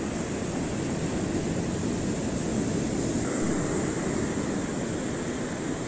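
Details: Loud, steady aircraft-like engine roar fills the air, with no animal calls heard.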